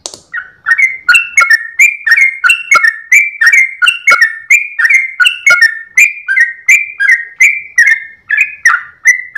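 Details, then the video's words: Trucukan, or yellow-vented bulbul, in dawn 'gacor ropel panjang' song while wagging its tail: an unbroken stream of bright whistled notes, each with a sharp click at the start, alternating higher and lower in a steady bouncing rhythm. "GOYANG EKOR trucukan gacor ropel panjang saat subuh pagi hari"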